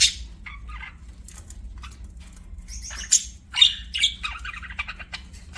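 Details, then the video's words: Budgie chirps come as short scratchy notes, then a busier run of rapid clicks and squeaky warbles in the second half, with a faint low hum underneath. "BUDGIE CHIRPING SOUNDS"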